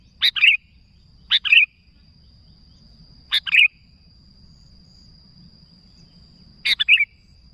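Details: Four well-spaced double notes from a sooty-headed bulbul calling to others, each a harsh chip running into a short warbled whistle, with long pauses between. A faint constant high tone runs throughout.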